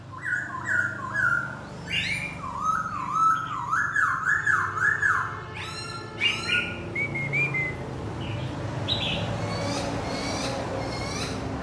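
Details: Decoy laughingthrush singing while dancing: a run of loud, clear whistled notes rising and falling in quick wave-like phrases over about six seconds, then sharper chirps and softer, scattered notes fading out against a low background hum.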